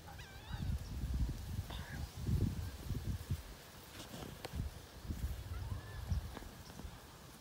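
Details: Wood ducks whistling in 2018: a few wavering, rising whistles in the first second, then fainter thin notes later, over loud low rumbling and rustling noise throughout.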